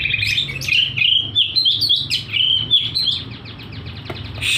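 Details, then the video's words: Oriental magpie-robin in full, persistent song with tail spread, until tangled on a string: a rapid unbroken stream of high, bright, varied warbling and chattering notes with a faint low hum beneath. "Burung Kacer gacor"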